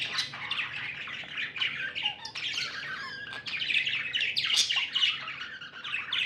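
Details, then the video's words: Continuous busy chatter from happy pet budgerigars: mixed squawky notes, fast chirps and short rising whistles blend into an unbroken warble at fairly even loudness. "Happy budgies chirping sounds"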